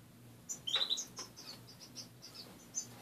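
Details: Captive finches calling in their cage one morning: a quick burst of bright, high chirps, then softer single peeps spaced out over the remaining seconds, with a faint low hum behind.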